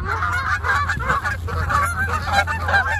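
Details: Landing and departing Canada geese call in a dense chorus of harsh, overlapping honks, one after another with barely a pause, with a constant low background rumble underneath.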